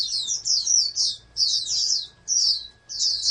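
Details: A captive oriental white-eye bred for competition sings four separate bursts of shrill, fast warbling chirps, each about half a second to a second long, separated by brief pauses.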